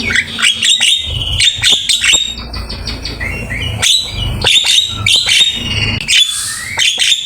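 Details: Javan myna giving a full master song for training other birds: repeated clusters of sharp clicks and bright whistled notes, with a rising whistle and squeaky trills.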